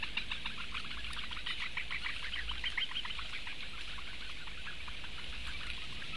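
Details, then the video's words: Four young Eurasian bitterns begging for food on 16 May 2017, seen via a live nest camera: fast overlapping ticking notes forming a steady chatter, somewhat fainter and less regular, with a low background hum. "četri mazie pudeļbiršti - barības diedelēšana"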